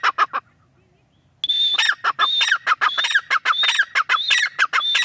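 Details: A female grey francolin gives a few short notes, falls quiet, then breaks into a loud, sustained rhythmic series of whistled-then-squawky phrases that repeat without pause.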